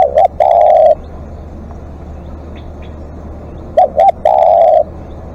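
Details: Decoy spotted dove in extended calling: two full phrases, each a pair of quick coos followed by a drawn-out steady coo, separated by about three seconds of quiet hum.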